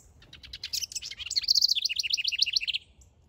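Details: Backyard male house wren at work on a nest sings a fast, jumbled burst of high chattering notes that settles into a quick descending series of trilled phrases, roughly two seconds long.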